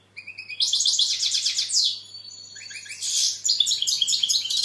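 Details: European goldfinch starting with soft chirps, then launching into fast, jingling, high-pitched twittering with dropping slurs and buzzy phrases, over a faint low steady hum.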